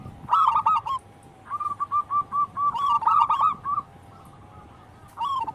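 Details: Zebra dove, local wild bird, singing as daily lure audio. A loud trilled phrase, then a string of soft, clipped coos rising to another rolling burst, followed by a silent gap.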